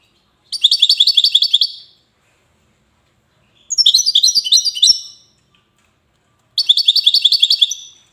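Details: Three clear bursts of rapid, tinkling twitters from a goldfinch in Safi, Morocco, each lasting about a second and a half with silent gaps between.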